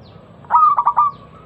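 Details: Single short phrase from a local zebra dove lure song: a clear sustained coo broken by three or four quick pulsed notes, steady and mid-pitched, used to get other doves singing.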